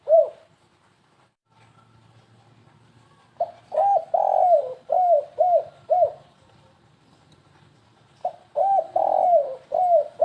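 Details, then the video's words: Spotted dove lure call in the 'kuk3 gagap' style: a single coo opens, followed by two stuttering phrases of about five and four hollow coos, each phrase with one drawn-out falling note, separated by several seconds of quiet. "suara pemikat burung tekukur kuk3 gagap"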